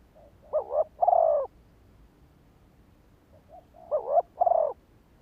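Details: Spotted dove calling to lure and trigger rival males: two mellow phrases about three seconds apart, each a short doubled note then a longer falling coo, a faint soft note preceding the second.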